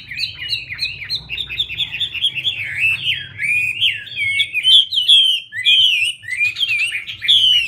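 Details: Female Chinese hwamei fanning out and dancing to spur on the male. A loud, varied whistled song of slurred, rising and falling phrases flows continuously, growing richer and more warbled toward the end, with a low background hum.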